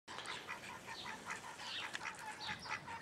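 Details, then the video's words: Juvenile call ducks with chicks kept in a private collection in Holland: a dense chorus of high, thin peeps from many birds overlapping continuously, some notes rising, with no gaps across three seconds. "call duck (juveniles)"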